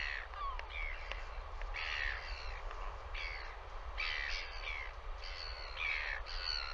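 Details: Northern royal albatross at its nest, visited by a bird named Red, gives harsh, rasping calls in short bursts about once a second over a steady roar of wind.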